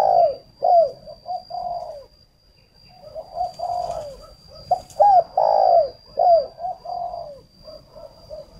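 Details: Decoy spotted dove, northern Vietnam, used to attract wild doves, cooing steadily: repeated low phrases of clipped notes leading into swelling, falling coos, with a brief lull around the middle before louder phrases resume. A faint constant high-pitched whine is also present.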